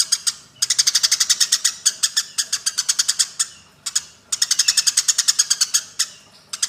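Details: Fighting Eurasian tree sparrows give a loud, near-continuous chatter of rapid high chirps, about five per second, in long runs broken by two short pauses.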